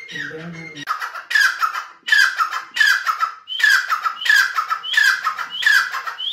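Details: Grey francolin: a short low droning sound at the start, then loud rhythmic harsh phrases, rising lead note into a rasping descending burst, repeated about every seven-tenths of a second.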